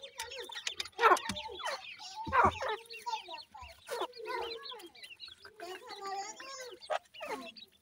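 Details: Chicks of the grey francolin calling at a nest: harmonic, slightly wavering notes that rise and fall, given in loose overlapping series about 45 a minute, with two louder sharp clucks.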